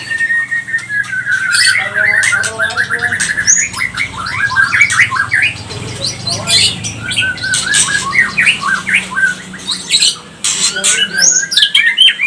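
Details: Pastol-type white-rumped shama, recorded to provoke other shamas into aggressive singing; long varied song of rapid descending whistled notes, sweeping slurs and frequent loud harsh crackling bursts, nearly continuous.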